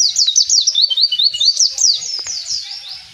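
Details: Wild mountain white-eye in full 'gacor ngalas' song, a fast stream of high, sharp downslurred chirps and twittering notes, fading slightly toward the end.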